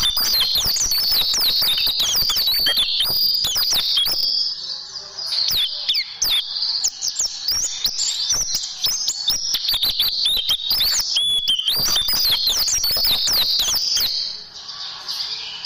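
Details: Caged-bird tutoring recording of white-eye song with 'tembakan' bursts: long runs of very rapid, high twittering and chipping, with short quieter gaps near five and fourteen seconds.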